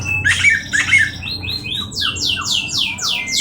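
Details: Oriental magpie-robin in Indonesia: harsh rasping notes, then a quick series of loud downslurred whistles repeated about twice per second over low hum.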